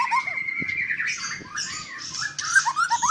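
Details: White-rumped shama at a Palembang breeding farm, Indonesia: harsh, squawky notes mixed with a long whistle and quick rising chirps, over low background rumble.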